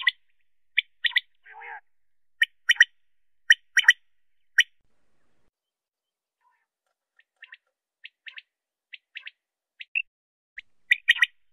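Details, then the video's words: A common quail gives sharp, clipped high notes, often in quick pairs or triplets at irregular intervals, with one brief lower squawk early on and quiet fainter notes between. "Quail sound"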